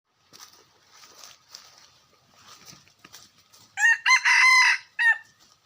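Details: Red junglefowl rooster crowing, recorded in 2021: after several seconds of faint ticking and rustling, a loud harsh crow bursts in as four tight segments, the long middle part held and strained before a short final note.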